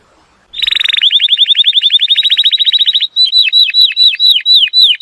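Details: Atlantic canary song used to teach young birds and stimulate males to sing; after half a second of quiet, a fast rolling trill of high repeated notes, then slower looping downslurred whistles repeated about four times a second.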